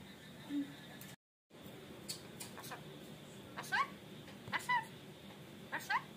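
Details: Rainbow lorikeet talking in a small room: brief, sharp, voice-like syllables in loose clusters, some doubled, each with a quick upward bend, against low background hiss.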